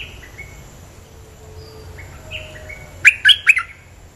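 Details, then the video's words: On a bird-luring recording, a bulbul gives scattered faint whistles, then a sudden loud three-note burst of sharp, bright chirps near the end. "Suara pikat merbah lekir gacor"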